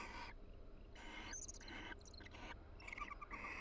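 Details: Barn owl pair inside a nest box at the University of Florida during the breeding season, quietly chatting and preening each other to strengthen their pair bond. A run of about six soft, raspy, hissing bursts, some with a faint chittering edge, over steady low hum.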